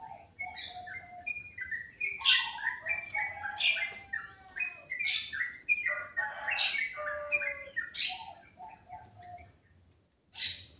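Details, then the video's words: Melodious birdsong in the morning: rapid runs of short whistled notes at varied pitches, punctuated by sharp bright chirps about every one to two seconds, with a low steady hum beneath and a brief pause near the end. "Suara burung dipagi hari sangat merdu"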